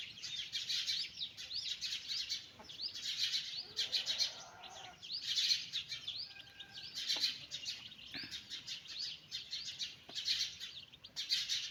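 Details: Domestic chicks led on a walk by their mother hen chirp in repeated loud bursts of high peeps, separated by short quieter gaps, over a long stretch.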